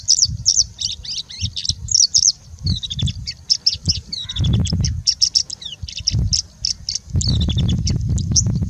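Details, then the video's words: Singing bushlark in India in a long mimicking song copying birds such as Indian robin and plain prinia: dense run of high chips, downslurred whistles and buzzy notes, over intermittent low rumble, likely wind. "Singing Bushlark singing and mimicking for more than three minutes straight"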